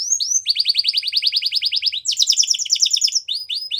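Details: Spanish Timbrado canary song for training, a fast run of bright repeated notes, then a higher rattling phrase and several separate upslurred chirps, continuous and loud.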